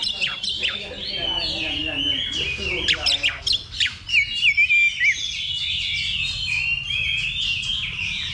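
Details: Oriental magpie-robin in a practice contest simulation before competing, level two; fast mimicking phrases of buzzy trills and clear slurred whistles, bursts of loud sharp notes midway, with overlapping birdsong and faint voices.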